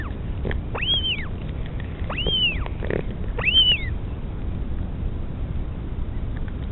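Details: At a northern royal albatross nest on Pukekura/Taiaroa Head near Dunedin, New Zealand, during a mother's feeding of her chick: three high, arching whistled squeals spaced roughly a second apart, then only wind noise.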